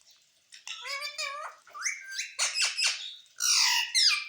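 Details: Parrot said to speak mummy and papa, producing a continuous string of varied, voice-like syllables that shift between steady tones and rising glides, ending in harsher, breathy notes.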